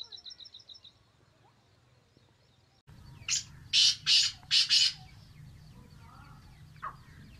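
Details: Sindhi black francolin calling: faint rapid twittering from a small bird first, then after a pause four loud, harsh, grating bursts in quick succession, followed by a brief lower note, over steady low hum.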